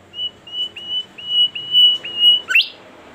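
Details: Actively singing bimoli bird delivers a steady chain of drawn-out level whistles at one high pitch, about two per second. It finishes with an abrupt, loud upslurred squeal, against light background hiss.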